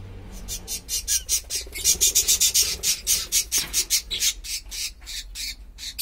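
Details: Pet cockatiel of unknown sex calling: a rapid run of sharp, high chirping notes repeated several times per second, rising in loudness toward the middle and then tapering, with faint low background hum.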